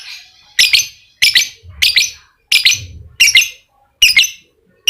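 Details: Lovebird heard on a lure recording meant to make a silent lovebird sing ngekek: sharp, high double chirps delivered in separate bursts roughly every second, with quiet gaps between them and a faint low thump.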